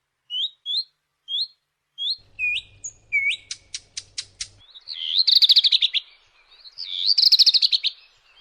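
A redstart sings: a few high, upslurred whistled notes, then quick clicking ticks, and finally two loud, scratchy, trilled phrases. A faint low hum sits underneath briefly.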